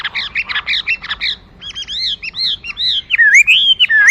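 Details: Hwamei opening with fast buzzy chattering notes, then short arched whistles and a long wavering warbled phrase.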